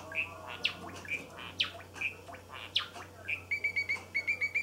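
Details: A roughly 224-day-old male pied Java sparrow practising his still-unfinished song gives soft clicking chips and quick sweeping notes, then a fast bell-like "pipipipipi" run, over a faint low hum; the song breaks off midway.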